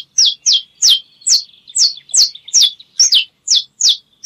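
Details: A saffron finch delivers a steady string of loud, high chirps, each sliding sharply downward, spaced roughly every half second, with a thin continuous tone linking them.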